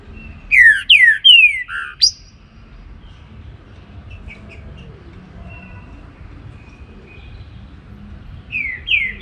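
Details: A trinca-ferro (Saltator similis) in the Baruc song style sings in the morning: a rapid run of four loud downslurred whistles ending in a sharp upward flick, soft faint notes in the gap, then two more descending whistles begin the next phrase.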